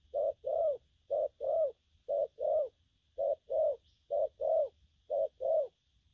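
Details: Spotted dove, a young bird, cooing in the gù phóng, kèm and gù lăn săn styles: six pairs of low hollow coos, a short note then a longer swelling one, about one pair a second, over a faint steady hum.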